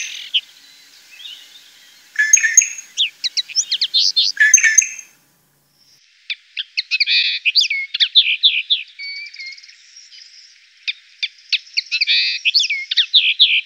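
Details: European goldfinch in the Llanura Manchega near Tablas de Daimiel and Villarrubia, Spain, delivering long bubbling twittery phrases of fast varied chirps and buzzy trills, with a brief pause around the middle.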